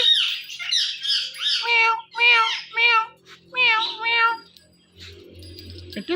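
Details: Indian ringneck parrot calling "Mithu Mithu", repeating harmonic, voice-like two-part syllables in quick pairs, with a softer low hum near the end.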